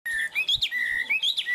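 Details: Tame caged Chinese hwamei, said to sing well and high: clear, pure whistles, a level note followed by rising slurs that climb and dip, repeated in a brief looping phrase.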